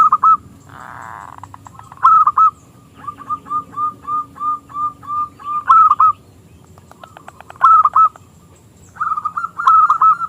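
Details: Zebra dove (local perkutut) singing with a small, crystal voice to draw rival doves into song: a steady series of soft, even coo notes framed by louder stuttering phrases, with a brief rustle near the start.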